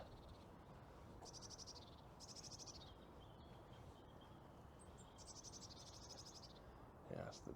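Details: Eurasian blue tits calling near water on a mild, gusty morning of 21 February give high, buzzy chattering bursts, four or five short runs about a second apart, over steady wind rumble.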